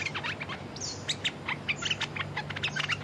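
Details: Red-whiskered bulbul calls during a lure contest with a territorial wild bird: quick, bright chirping notes and short whistles in steady rapid series, with a low hum beneath.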